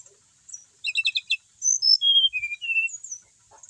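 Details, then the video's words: Kept brown-chested jungle flycatcher in lively song: a quick cluster of stacked chirps, followed by a sequence of pure whistled notes gliding downward, over a steady high-pitched hiss. "Emang enak kalo punya burung srdc mapan, mau di apain aja tetap gacor,sikatan rimba dada coklat bali"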